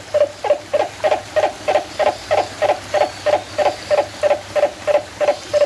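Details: Turaco in San Diego Zoo Safari Park, recorded 11/10/2020, delivering a long even sequence of guttural, hollow notes, around seventeen over nearly six seconds, each a short throaty pulse, with steady faint hum beneath.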